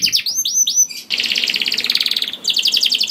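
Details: Canary singing to draw other canaries into song: a few sweeping arched whistles, then a long buzzy rolled trill of rapid pulses, ending in faster repeated notes.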